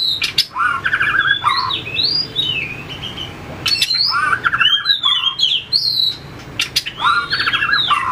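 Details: White-rumped shama trained for song contests, flicking its tail as it hops: bursts of bright whistles and stuttering trilled notes in repeated phrases, separated by short pauses and hard clicking sounds.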